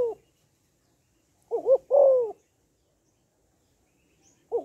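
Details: Female spotted dove calling to stimulate males: soft low cooing in short grouped phrases, a double hooting note followed by a longer drawn-out coo, then a pause of about two seconds before the next phrase begins.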